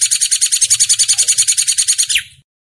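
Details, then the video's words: A hair-crested drongo (Dicrurus hottentottus) gives a fast, high, metallic rattle of about ten notes a second for two seconds, ending in a brief downward slur. "Suara Masteran Burung Srigunting"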